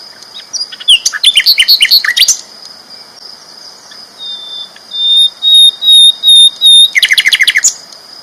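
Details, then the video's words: Flycatcher sung loud and chatty, a tutor recording for champion songbirds: fast buzzy trills of repeated high notes, then a row of five clear whistled notes, then another rapid trill, over a steady high ringing tone. "BURUNG SIKATAN LONDO GACOR ISTIMEWA KERAS LANTANG"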